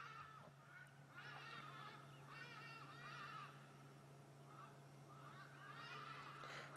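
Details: Hadeda ibis at sunrise on 18 August 2016 in Sabi Sand, South Africa, giving loud, harsh, nasal honking calls in ragged bursts, heard from a safari vehicle over the steady low drone of its idling engine.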